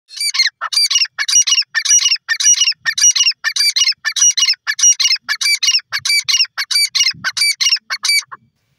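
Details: Grey francolin (teetar) in India calling loudly: a rapid, repeated series of high, ringing, harsh notes, about fifteen phrases in under nine seconds, each phrase a quick cluster, with a quiet background.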